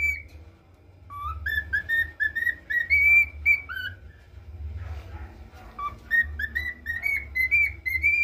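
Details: Male cockatiel in training, whistling the national anthem: phrases of pure, melodic whistled notes stepping up and down, a brief falter mid-tune, then the melody resumed over a constant low background hum.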